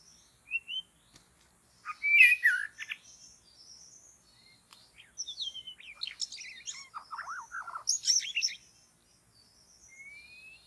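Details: White-rumped shama singing in forest where birds are trapped: scattered high chirps and a rising whistle, then bursts of rich warbled phrases with sharp clicks, gaps of quiet between, ending on a thin upslurred whistle.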